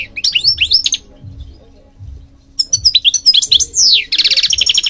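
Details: Goldfinch song for bird training: rising twittered notes, a short lull, then dense rapid chirps, a long falling slur and a harsh pulsed buzz, with a faint low hum beneath.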